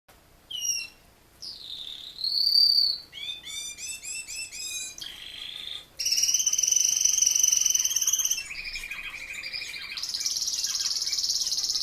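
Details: Male Raza Española canary, a breed not kept for song yet with a notably pleasant song, delivers varied phrases: brief high whistles, a rising-and-falling whistle, rapid repeated notes, then buzzy sustained trills switching between higher and lower pitches.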